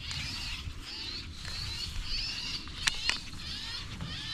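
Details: A flock of European Starlings, invasive birds raiding farm chicken and pig feeders, chatters without pause in a dense, wheezy, high jumble of overlapping calls among mulberry trees in summer; two sharp clicks and a low outdoor rumble.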